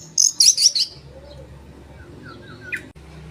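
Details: Oriental magpie-robin lure song meant to rouse rival birds: a burst of rapid harsh buzzy notes, then a few soft slurred whistles and a short rising note, with a faint hum behind.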